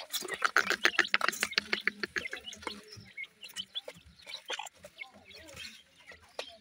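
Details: Francolin chicks give a quick run of high, thin peeps in the first second and a half, then a dense patter of sharp clicks and scratchy taps continues with fainter peeps underneath.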